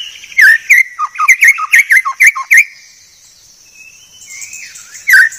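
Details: Clear masteran tutor song of a white-rumped shama: a fast, regular series of bright downslurred whistles, then a quiet gap with faint whistles, then one loud note at the end. A thin, steady high hum continues behind.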